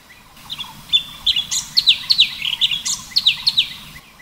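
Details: Full tembakan song of the orange-bellied leafbird (cucak cungkok): a quick, energetic string of shrill falling whistles and squeaky notes, several each second, running for about three seconds before stopping.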